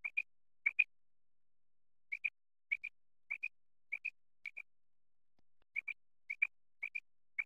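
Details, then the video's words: Singing quail from Khyber Pakhtunkhwa, Pakistan, in a netting and hunting context: steady series of high, clipped two-note pips, pairs about half a second apart with one short gap midway, nothing else audible. "Quail singing batair"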